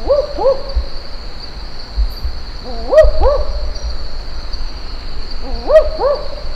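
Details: A barking owl (Ninox connivens) in Australia's Top End gives three quick bursts of paired, dog-like 'wook-wook' barks about every three seconds, sounding like a pack of dogs, over a steady high insect hum.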